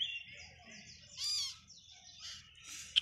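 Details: Baby parrot on its first day of hand feeding, giving a short, loud, buzzy harmonic call midway and a sharp high squeak at the end over quiet background hiss.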